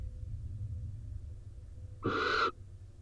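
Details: In Israel, a rain-soaked male barn owl leaves his daytime roost and enters the nest box where the female is incubating. One harsh, hissing screech lasts about half a second over a steady low hum, recorded by a live nest camera.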